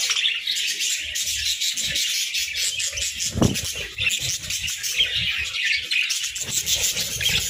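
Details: Budgies chirping as they snack on grass and moringa; a thick, continuous layer of high twittering, with scattered low crunches and one sharper knock in the middle.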